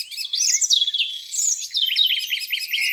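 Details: Birds singing on a spring morning beside a lake: high, quick warbled phrases with sweeping slides and short chirps, overlapping voices filling the air without pause.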